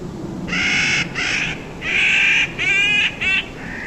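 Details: Clark's Nutcrackers at Meadow's Edge, Big Bear Lake, California, trade five harsh, grating, drawn-out "kraa" calls in quick succession, a mother and a juvenile begging to be fed, over a low background rumble.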